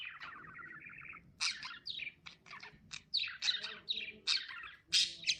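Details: Lovebird chirping opens with a steady buzzy twitter, then breaks into loud, sharp, high chirps in quick irregular bursts, some sweeping down in pitch.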